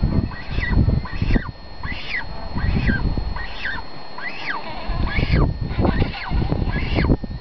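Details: A cormorant chick being fed by its mother begs with a run of arched, squealing calls, about one every half-second, over a heavy low rumble of wind.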